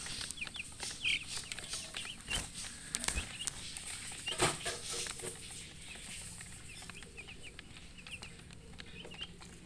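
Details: Baby chicks chirping: short high peeps scattered throughout, some in quick runs, over a steady low hum with occasional thumps and rustles.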